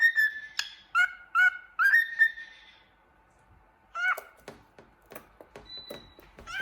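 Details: Happy cockatiel whistling and singing while looking in the mirror: short whistled notes in bursts, a pause of about a second, then more whistles mixed with sharp clicks and chirps.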